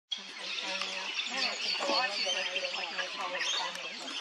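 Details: Rainbow lorikeets at Burrum Heads, Queensland, keep up a dense, shrill chatter of overlapping screeches and twitters, several birds at once, over a low steady hum.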